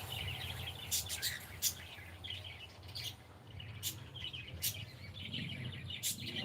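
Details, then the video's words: Pet cockatiel saying good morning; scattered high twittering notes broken by loud sharp clicks, irregular pacing, with a steady low hum underneath. "ShonaTheCockatiel is saying gud morning"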